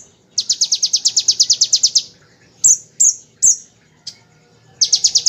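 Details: Tutor song of a bar-winged prinia for training magpie-robins and shamas: a rapid two-second string of high, evenly spaced ticks, then a few loud isolated shrill notes, and the quick ticking burst starting again at the end.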